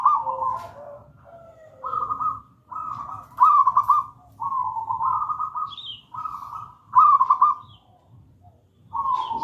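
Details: Zebra dove, local wild-origin bird in gedang rojo style, used as master song for training silent doves: a run of about eight short purring coo phrases, several with quick trilled accents, a faint high note between.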